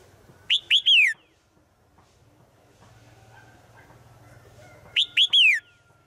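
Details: A female bird calls daily to a male in the forest. Two bright three-note whistled phrases about four and a half seconds apart, each ending in a longer falling note, with faint low background hum between.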